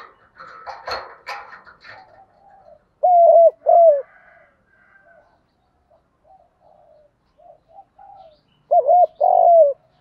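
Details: Spotted dove coo used to stimulate trained doves: after a burst of scratchy rustling noise, two low coo phrases follow, each a quick double hoot and a longer drawn coo, roughly six seconds apart.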